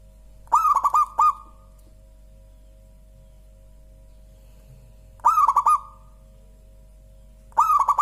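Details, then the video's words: Local zebra dove singing clearly: a series of rapid, rolling cooing notes followed by a drawn-out trill, phrase repeated twice more after pauses of several seconds, with a faint steady hum behind. "Suara Burung Perkutut Lokal paling empuk dan gurih"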